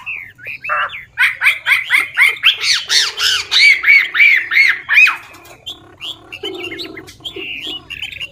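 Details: Old wild-caught Chinese hwamei singing varied phrases to stimulate newly caught birds: a rapid series of harsh, arched, squawky notes about four per second, fading into scattered softer chirps and whistles.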